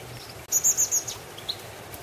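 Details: Common blackbird chick with its mother in a garden: four thin, very high-pitched squeaky notes in a quick run, then quiet background.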